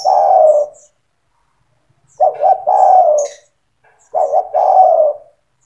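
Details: Spotted dove with a strong, frequent song, used to train young birds: a trailing coo and then two full phrases of two clipped notes leading into a long, falling, rolling coo.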